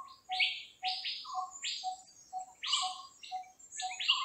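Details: A Dark-fronted babbler, while foraging for its meal, gives quick, harsh chipping notes about twice a second, mixed with lower short whistles; a faint steady high hum sits behind.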